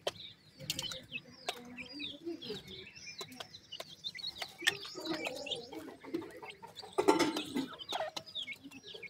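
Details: Pheasant chicks feeding: scattered thin, high chirps and short rising peeps over sharp tapping and pecking clicks, with a louder cluster of calls near the end.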